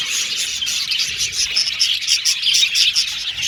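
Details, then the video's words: Budgerigars chirping together in an aviary colony: rapid, busy warbles and bright tweets pulsing in short bursts over a steady high chatter. "Budgies Chirping Sound"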